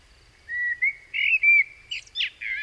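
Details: A Common Blackbird, one of four heard at different stages of learning its song, sings a brief mellow, fluted warble breaking into a high, squeaky twittering flourish at the end, against a quiet background.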